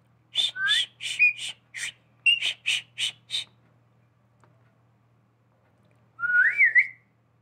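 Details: Pet parrot known for human-like whistling gives a string of about ten short pulsed, harsh-edged notes, then after a pause a single rising, twisting whistle.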